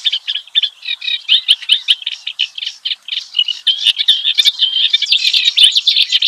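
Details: Clamorous reed warbler (kerak basi) in the wild, delivering a fast, scratchy, chattering song of rapid notes with buzzy and whistled elements that runs on without a break.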